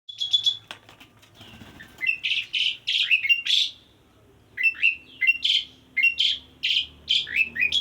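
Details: Male Asian pied starling calling to a female: a few quick high chips, then loud, harsh, slurred whistles given in separate bursts about every half second, with a short pause midway.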